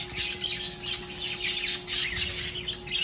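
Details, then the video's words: Pet birds kept at home, lively after waking in the morning: a dense chorus of harsh, overlapping squawks and chatter, with a steady electrical hum beneath. "DESPERTARON muy ALEGRES mis aves en CASA"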